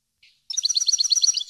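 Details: European goldfinch song meant for educating caged birds: a short faint note, then a dense, rapid rattling trill of bright high twitters.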